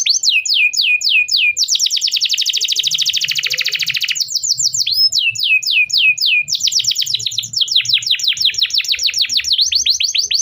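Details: Canary song meant to get silent canaries singing again: bursts of quick downward-swept notes, a long dense buzzing trill, then more repeated sweeping chips, loud and continuous.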